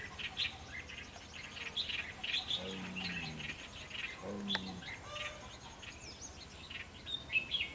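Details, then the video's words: A red-whiskered bulbul used in a fighting trap to lure wild bulbuls gives short, bright, bubbly chirps and whistles in quick scattered bursts, while a man speaks briefly twice. "Bẫy đấu chim chào mào"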